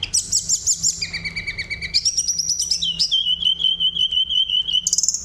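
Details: Rolling, flute-like song of a Sunda robin, used to excite other birds into singing; a quick buzzy trill steps down through several pitches, then a long wavering whistle holds steady before a final high twittering burst.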